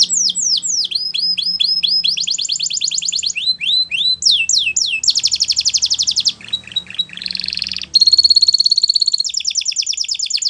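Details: Over ten seconds of canary training song, switching rapidly between tours: downslurred repeated notes, rolling buzzy trills, swooping whistles and a high steady rattle, each phrase repeated several times before changing.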